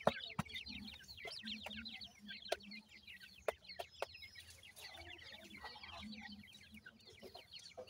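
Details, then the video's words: Young francolin (teetar) chicks kept with Iranian pheasant chicks at feeding time: a dense chorus of high, slurred peeps over steady low hum, broken by crisp tapping clicks. "partridge teetar baby feed"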